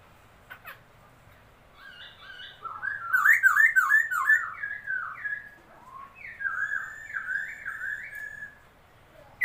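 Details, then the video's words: Newly acquired laughingthrush singing on 27 February 2022, a fast run of zigzagging, buzzy whistled notes rising to a peak, then a second, softer series of wavy whistles after a brief pause. "noog sab hwj quaj, noog tshiab xwb(khướu mun hót chim mới)"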